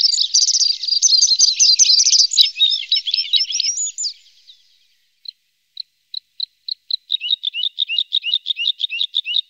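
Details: Red-spotted bluethroat in Norway, one of a pair with young: a four-second burst of rapid, varied high twittering, a pause with a few soft isolated ticks, then a quick run of repeated chirping notes.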